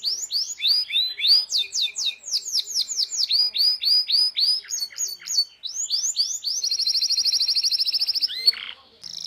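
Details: Chatty canary song meant for training young birds to sing: quick runs of sweeping whistled notes change pattern every second or so, then break into a fast, even, buzzy high trill before a short pause.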